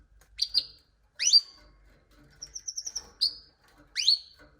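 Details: Canary producing bright, high chirps with a rising sweep, broken by a short fast trill of evenly spaced pure notes, in a quiet setting.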